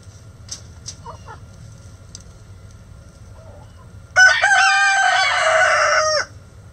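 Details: Rooster crowing loudly. The single long, strained crow lasts about two seconds and ends in a falling tail, after several seconds of faint background calls.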